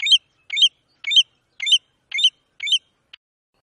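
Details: American golden plover, Brazil: six sharp, high chirped notes repeated about twice a second in a steady series, then a tiny final click and silence.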